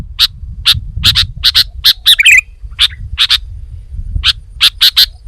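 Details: Sooty-headed bulbul, noted as female: crisp chirps given singly and in pairs at a brisk, fairly even pace, with one brief tumbling twitter in the middle; soft low background hum.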